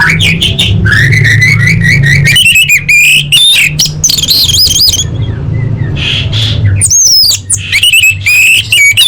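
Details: Orange-headed thrush song used as a lure to make caged birds sing: a dense, nearly unbroken run of loud varied whistles, rapid trills and quick repeated notes, some rising and some falling, over a steady low hum.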